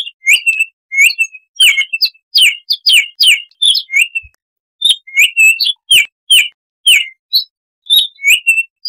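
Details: Baltimore oriole, a wild bird, singing a 'tembakan' song of bright whistled notes delivered in rapid phrases of three to five, many slurring downward, with a brief pause midway.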